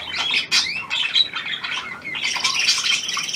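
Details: Hand-tame Australian pied budgerigar, new to its owner, 17 February 2023; squeaky chirps and clear upslurred whistles early on, then a loud, dense burst of raspy chatter.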